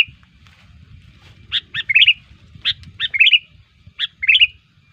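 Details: Sooty-headed bulbul song, used as a lure to draw in other bulbuls: short bright chirped phrases of two or three notes followed by a quick rolling warble, repeated about every second with brief gaps, over a faint low hum.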